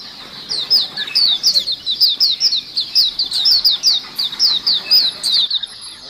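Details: White-eyes used as a lure sound, a flock chorus: dense run of high, thin, downslurred chirps and short twitters tumbling over one another for about five seconds, then ending abruptly.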